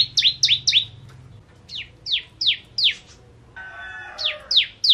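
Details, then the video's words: Kristal ciblek bar-winged prinia in ngentrok song: groups of three and four steeply falling high notes with gaps between, and a brief smeared tonal burst near the end. "Ciblek Kristal Gacor Full Ngentrok"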